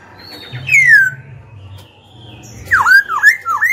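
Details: Loud descending whistle, a quiet pause, then a rapid series of swooping V-shaped whistles: Black-throated laughingthrush song for goading rival birds and training young birds' voices.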